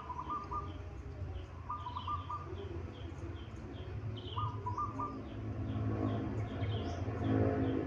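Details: Zebra dove of a local Indonesian strain giving three short bursts of quick, stuttering coos. Loud low droning noise runs throughout, and a steady series of thin high chirps sounds in the background.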